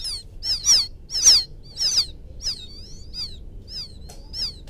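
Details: Lure sound of a rice-field quail chick seeking its mother: an uneven series of high falling peeps, some louder and fuller, others thin, with a drawn-out wavering whistle between them.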